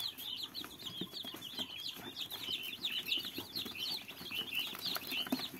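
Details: Fluffy young chicks peeping together: a dense, continuous stream of high, thin cheeps rising and falling, overlapping from several birds, with soft low shuffling and tapping underneath.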